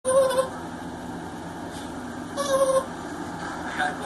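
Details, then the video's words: Pet male African grey parrot of the Congo type cooing indoors: two short, steady, hollow tonal coos about two seconds apart, each under half a second, over a constant low hiss of background noise. "When Your Bird Goes Coo Coo"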